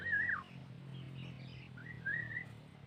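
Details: Sooty-headed bulbul used for luring, two clear whistled phrases, the first wavering and dropping at its end, the second rising and steady, over a low hum.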